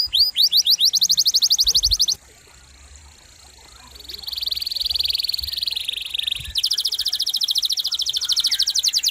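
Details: Canary song recorded for training other songbirds: a fast high trill, then a quiet buzzing stretch with faint notes, then a loud, rapid, even rolling trill to the end.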